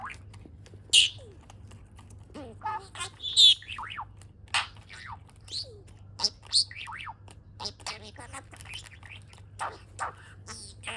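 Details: A pet budgerigar, stimulated into breeding condition by a game controller, chatters in quick, high chirps and scratchy warbles.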